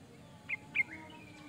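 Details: Sooty-headed bulbul song played to lure birds: two short, sharp chirps close together, then a brief rising whistled note, over a steady low background hum.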